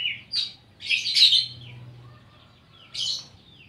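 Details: Oriental magpie-robin (kacer) singing with mimicked phrases (isian koslet): bright rich bursts of whistled and buzzy notes, a long complex phrase followed by a pause and a shorter high burst.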